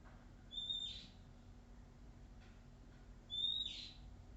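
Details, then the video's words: Wild Oriental magpie-robin, described as shy yet singing on and on: two thin, high, steady whistles about three seconds apart, each trailing into a soft breathy rush, over a faint low background hum. "SUARA ASLI KACER ALAM LIAR"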